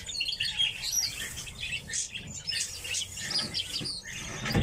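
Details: Red crossbills calling in a group: busy, overlapping high chips and short twittering notes, some sharper and louder, over a steady background hiss.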